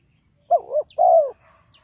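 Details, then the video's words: Spotted dove kept to lure wild doves into traps, Ninh Thuận: a single phrase of a clipped, wavering opening note and a sustained, gently descending mellow coo, clean and close. "Tekukur Pikat"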